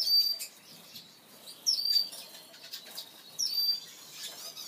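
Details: Male Red-fronted Serin (Serinus pusillus): three short, high, thin whistled notes, each opening with a quick downward slur into a level tone, spaced about every 1.7 seconds over steady rustling and wing-flutter noise.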